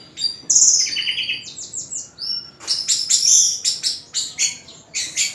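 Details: Orange-headed thrush, a champion singer, delivering a rich, varied song: high whistled notes and buzzy trills, with bursts of sharp, rapid phrases every half second or so and brief pauses between them.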